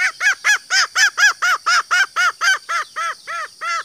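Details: A green junglefowl (Gallus varius) hen gives about sixteen arched, nasal clucks, four each second, steady and evenly spaced, with a faint hiss behind; the call is used to lure males into calling.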